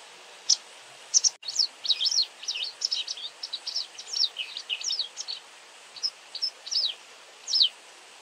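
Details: Busy twittering from a White wagtail: a dense run of high, quick, wavering chirps in the first half, then spaced single sharp notes, one after another, against quiet background noise.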